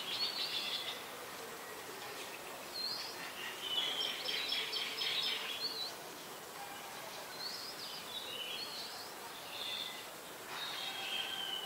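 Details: Very common resident Malaysian pied fantail, Ubon Ratchathani, Thailand, October 14, 2021, shortly after 5 PM; clusters of sharp, squeaky high chirps and short rising whistles arrive in bursts separated by quieter gaps, over faint ambient noise.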